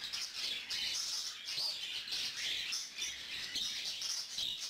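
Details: Adult male cockatiel feeds a young lutino female that was hand-reared and has just begun feeding herself. She gives harsh, hissing rasps in rhythmic bursts about twice a second, with a faint thin whistle over them.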